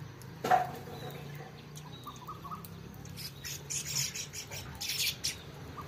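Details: Chirping house sparrow: a brief lower note, then a burst of sharp, harsh chirps clustered near the end, over steady low background hum.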